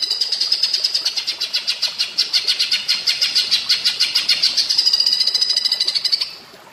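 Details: Greater green leafbird (cucak ijo) in platuk bawang style: a long, unbroken series of quick, high, evenly spaced notes lasting about six seconds. It ends abruptly in quiet.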